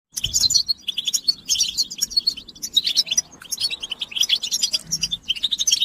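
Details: European goldfinch singing in the twittering style known in Arabic as batbata: dense, high tinkling chatter of quick liquid notes and buzzy trills, broken into bursts by brief pauses near one and a half and three and a half seconds.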